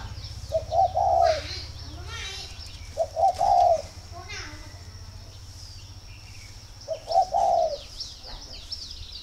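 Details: Spotted dove at a dove farm in Ba Vì, northern Vietnam, calling as a sign of readiness to pair: three mellow coo phrases several seconds apart, with frequent high chirps from other small birds.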